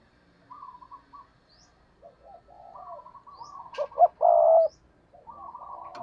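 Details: Decoy spotted dove cooing in the stuttering 'gù cà lăm' style to provoke wild rivals: low, hoarse coo phrases broken into choppy segments, with a loud, sustained burst about two-thirds through and soft clicks between phrases.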